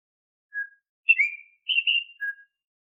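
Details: Oriental magpie-robin (kacer) whistling, used as a lure to get untrained caged kacer singing readily. Four short clear whistles: a lone steady note, then two sliding, slurred phrases and a final flat note. No background sound.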